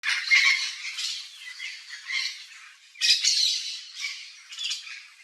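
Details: Yellow-faced Parrot in the wild in Brazil's Cerrado biome, visiting a backyard: harsh, raspy squawks in bursts, two main bouts separated by a short pause, with broad noisy energy.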